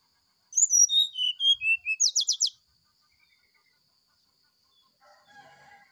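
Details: Morning sulingan song of a brown-chested jungle flycatcher: sweet whistles descend step by step, then a quick burst of five buzzy, rattling notes. A faint low warble comes after a pause.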